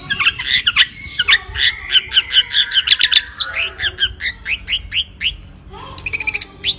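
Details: White-rumped shama, a strongly territorial songbird, delivering a dense run of quick high chirps and trills, sharp clicks mixed with repeated bright notes, rhythm shifting after a loud crackle near the middle.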